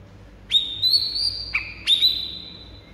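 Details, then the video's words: White-rumped shama song used to provoke rival birds into singing: long, pure, steady whistled notes at high pitch, each held about a second, with a brief lower dipping note between them. Quiet background. "pikat Murai batu lawan yang MACET jadi NGAMUK"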